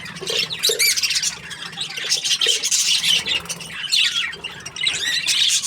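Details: Happy budgerigar chirping in bursts of bright squawks and rising-falling twitters, with brief dips in loudness between busy chattering phrases.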